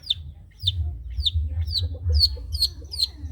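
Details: Long-tailed shrike, trotol type, singing as a tutor for other songbirds. Quick, high downslurred whistles repeat steadily, about three per second, with soft lower chirps between them and a low hum throughout.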